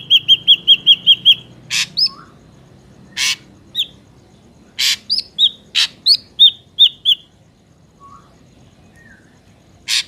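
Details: Ashy drongo, recorded in the wild for luring and trapping: quick string of whistled notes, then mixed phrases with harsh broadband rasps, short upslurred whistles and chips, repeated irregularly over ten seconds.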